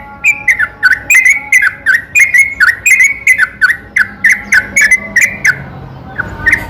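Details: Night-time yellow-vented bulbul song used to provoke other bulbuls: quick, bubbly, down-slurred chattering notes repeated rapidly, fading out toward the end with a last isolated note.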